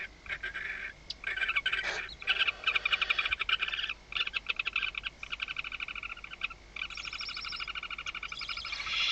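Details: Barn owls inside a nest at Riet Vell nature reserve, Ebro Delta, night of 21 October 2025, as the male delivers prey. A dense, loud chatter of rapid rasping pulses runs almost continuously, with brief gaps.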